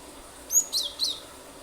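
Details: Cinereous tit in 'nembak' song, used to spur other birds to sing; a soft three-note phrase of high, slurred chirps, with a quiet background.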